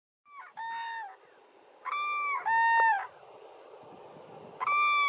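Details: Cranes taking off in the morning, giving loud trumpeting, rolling calls with rich overtones: a short call, a double call near the middle and another at the end, over steady low background noise.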